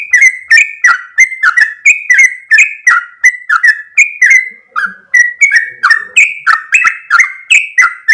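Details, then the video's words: Sooty-headed bulbul (trucuk) in full, lively 'gacor ropel panjang' song, a long run of repeated phrases: bright whistled notes with sharp click-like onsets, each sliding down, delivered rapidly about two to three per second without pause. "full suara Trucuk gacor ropel panjang"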